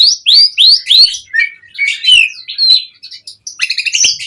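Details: Asian pied starling singing in mompa form as a lure for other songbirds: repeated upslurred whistles about three a second, then lower warbles and a closing burst of stacked squeaky notes.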